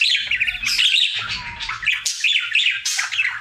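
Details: Happy male budgerigar kept as a pet, singing his daily routine: dense warbling chatter of whistled and buzzy notes, quick pitch wobbles and sharp clicks, nearly unbroken throughout, with faint low background hum.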